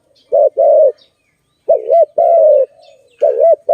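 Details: Malay dove, filmed in a trapping setting, giving loud tonal coos: a short wavering double note followed by a longer steady coo, the phrase repeated after a pause, with faint higher chirps behind.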